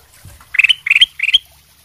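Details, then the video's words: Golden bulbul (kutilang emas) in sutra singing style, singing actively as a lure to make other birds answer: three quick bright chirpy phrases, each a burst of clear notes ending in a higher sharp whistle, about every third of a second apart. "kutilang emas sutra gacor buat pancingan langsung nyaut"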